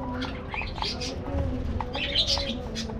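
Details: Australian budgerigars in an aviary colony: overlapping bright chirps and short squawky bursts, irregular and scattered across three seconds, over a steady low rumbling hum.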